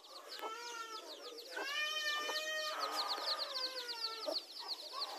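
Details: Mother hens with newly hatched chicks in a garden, meeting to fight over territory: drawn-out harmonic calls and rising-falling squawks, under a constant stream of high, rapid, downward-sweeping chick peeps.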